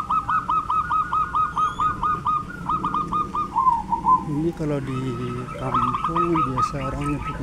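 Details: Zebra dove in a peaceful village in Prembun, Kebumen, Central Java, giving a fast, even string of hooked whistled notes, roughly three a second, which then slow and break as a man's voice talks over it.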